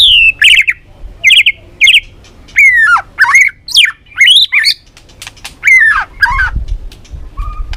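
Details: White-rumped shama, Balak 6 lure song for catching birds: loud harsh squawking phrases mixed with descending whistled slurs, delivered in short bursts separated by brief pauses.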